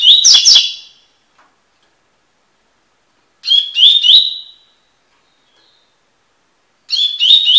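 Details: Coleiro, the double-collared seedeater, giving the tui-tui song used for tutoring: short, dense phrases of high chirps and slurred whistles, each lasting around a second, returning about every three and a half seconds, with no other sounds.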